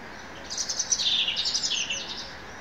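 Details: Bird singing in the woods: a quick, high-pitched twittering phrase of thin chirps and trills lasting about a second and a half, over a soft, steady background hiss.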